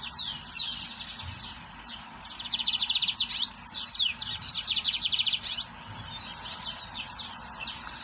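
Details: Wild lined seedeater delivering loud song: high falling whistles, then rapid stuttering trills of repeated notes, a short pause, and a final cluster of bright twitters.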